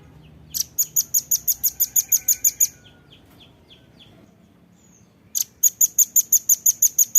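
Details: Velvet-fronted nuthatch training song for songbirds: a quick burst of about twelve shrill, evenly spaced high chits, a lull with faint soft chips, then a second rapid burst of the same sharp notes.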